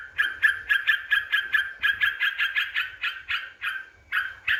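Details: Yellow-vented bulbul song used as a lure to provoke rival birds: a rapid series of bubbly, chattering notes repeated about four times a second, with brief pauses near the end.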